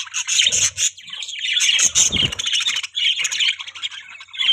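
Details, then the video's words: Budgerigars kept as pets give loud, scratchy squawking warbles that run together, with a low rustling bump near the middle. "Beautiful Budgies Chirping Sound"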